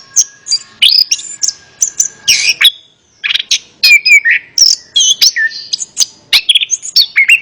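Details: Orange-headed thrush pouring out varied song to encourage a quiet kept bird to reply; dense whistled and chirping phrases, a brief silent pause midway, then the outpouring resumes.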